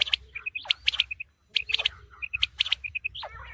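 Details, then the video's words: Quail calls meant for the coming wheat season: short, high, clipped notes in tight bursts of two to three, repeating about once a second, with softer chattering and low background rumble between them. "Quail sounds for coming season | چیتری بلارا آنے والے گندم کے سیزن کے لیے بہت اچھی آواز"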